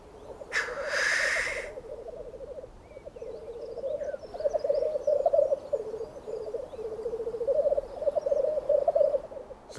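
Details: Black grouse mating call in spring in the Alps: a continuous low, bubbling, cooing warble that rises and falls without pause, broken near the start by a loud hissing sneeze, with faint high bird chirps behind.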